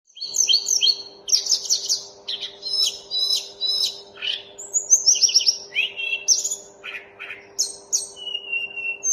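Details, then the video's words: Mountain tledekan (Sunda robin) in full song: a fast medley of high whistled notes, sweeping slurs and brisk buzzy trills, phrases tumbling one after another without pause, over a steady low electrical hum. "Tledekan gunung mantab gacor"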